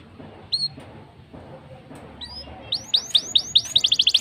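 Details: Black-throated canary song used to lure canaries into singing: a few isolated whistled notes, then from about the midpoint a fast, accelerating run of repeated rising buzzy notes that grows louder toward the end.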